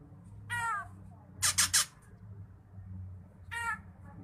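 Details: Drongo vocalizing as training material for songbirds; a nasal harmonic note, then three quick harsh scratchy bursts, and another nasal note after a pause, over faint low background hum.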